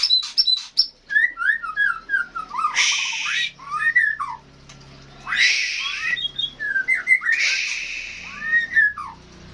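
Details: Energetic bird song opens with quick high chips, then runs of falling whistled notes. Three harsh hissing screeches break in at intervals, each followed by more slurred whistles.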